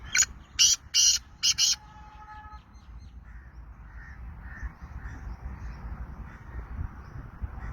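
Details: Sindhi black francolin giving a rasping burst of four harsh, scratchy notes at the start, followed by quieter background noise and faint distant chatter.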